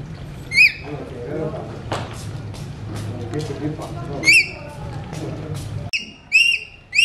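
An Alexandrine parakeet gives four loud, clear, arching whistles, two spaced apart and two close together at the end, over a low indoor hum and faint voices.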